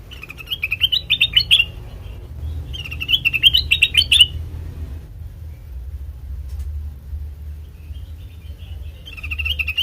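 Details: Black-crested bulbul song used as a lure for trapping birds: two bright, warbling bursts of quick chirpy notes a second apart, then a pause and a fresh phrase beginning, over a low steady hum.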